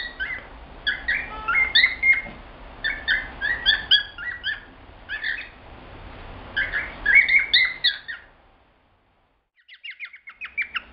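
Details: Male cockatiel, a caged pet indoors, singing as part of typical male behaviour alongside tapping the perch and heart-shaped wing display; bursts of chirpy, squeaky whistled notes in rapid clusters, a pause near eight seconds, then faster chatter.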